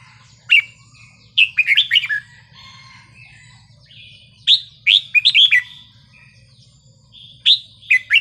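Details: Red-whiskered bulbul giving a wild-style song (phleng pa), meant to get other birds excited: clusters of loud, slurred whistled notes, some rising and some falling, separated by short pauses, with a faint low hum.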